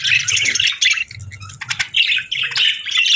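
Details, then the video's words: Budgies chirping in the morning calm: rhythmic bursts of bright, scratchy warbling, each lasting under a second, alternating with brief clicks and soft ticks. "Soothing Budgie Chirping Sounds"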